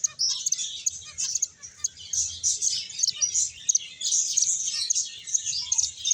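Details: Finches eating and playing together; a constant bright chatter of many high, short tweets layered over one another throughout.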